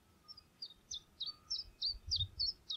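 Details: Mountain chiffchaff (Phylloscopus sindianus) at Sultan Murat plateau highland, morning, giving a quick run of thin, high chirped notes, about three per second, with a faint low rumble underneath.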